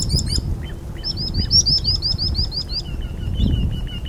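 A common sandpiper gives quick runs of thin, high piping notes, about ten in a second-long burst, then a lower, steadier series, over a low rumble of water or wind.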